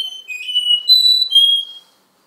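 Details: Young male canary, seven months old, in Garni, Armenia, recorded on 2 October 2014 in the afternoon: a short run of clear, pure whistled notes, first slightly dipping, then higher steady tones, lasting under two seconds against a quiet background.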